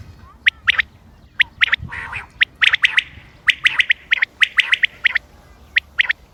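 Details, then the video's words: Common quail heard 28 May 2025, recorded for hunting: spaced crisp pips growing into rapid triple-note phrases, with one rougher, buzzier call in the first half. "quail bird sounds common quail bird sounds بٹیر کی آواز شکار کیلئے quail bird bater"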